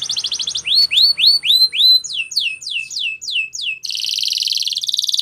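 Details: Spanish Timbrado canary training song: a fast pulsed trill, then about ten loud looping swept whistles, ending in a dense high buzzy roll.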